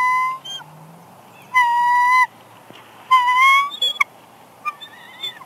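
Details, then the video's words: Female bald eagle on a nest at Big Bear Lake, California, on March 6, 2021, whining softly as her mate brings a headless fish. Thin, steady whistled whines lasting under a second each, with a faint tone and two clear bursts that slide upward at their ends. "Jackie Whines Softly As Shadow Brings Headless Fish"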